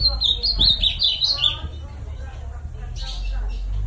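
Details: Ultramarine grosbeak in the bico de aço song style, delivering a quick run of bright, slurred whistled notes during the first second and a half, then fading into low background noise.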